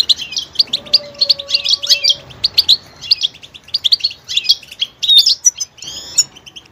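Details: Varied goldfinch song: dense runs of high twittering notes and jingling trills with small pauses between phrases, a soft steady lower tone running faintly underneath for the first two seconds.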